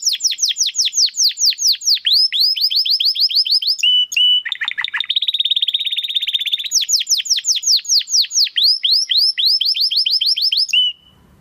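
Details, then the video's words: Canary song used to train competition birds, long and loud: rapid repeated downsweeping whistles, a brief buzzy roll and a fast trill, then more sweeping notes ending abruptly. "Kenari Gacor Suara Kristal Buat Masteran Burung Gantangan"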